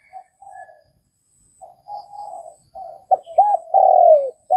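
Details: Vietnamese spotted dove giving soft, breathy preliminary murmurs, then one full phrase of two arched notes, a drawn-out falling coo and a brief final note.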